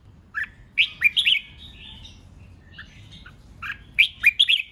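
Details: Red-whiskered bulbul in competitive song, meant to make wild-caught birds sing along: two lively groups of rapid, rich whistled notes framing softer scattered chirps.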